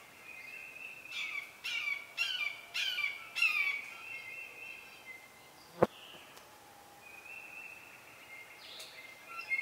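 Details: At a Southern Red-shouldered Hawk nest, an adult bringing a snake to young ready to fledge: four loud, harsh, descending squeals, then a sharp click, and a long thin whistled tone.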